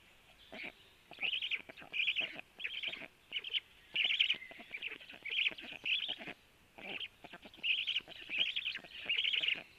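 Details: White stork nest at 12:01 as the male feeds the storklets: rasping, mewing bursts repeated roughly every half second to second, in uneven runs with short gaps.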